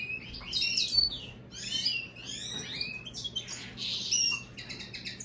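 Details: American goldfinch and European greenfinch hybrid singing a fast twittering song of high chirps and buzzy trills, in bursts with short pauses, over a steady low electrical hum.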